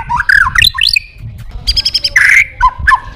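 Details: A white-rumped shama calling a rival, delivering a brief burst of varied song: rising and falling whistles, a quick series of clipped chips, then a harsh, buzzy note and short whistled phrases.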